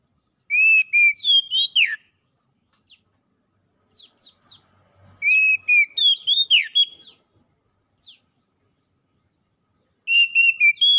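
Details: Oriental magpie-robins, wild and domestic, answer each other in lively gacor singing. Bursts of loud whistled phrases with shifting pitch, sharp chips and rapid twitters come at about 0.5, 5 and 10 seconds, with faint descending sweeps between them.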